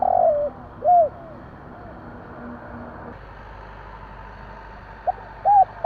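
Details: Spotted dove calling at night: a few arched, mellow coos at the start and again near the end, separated by a long quiet stretch over a steady low hum.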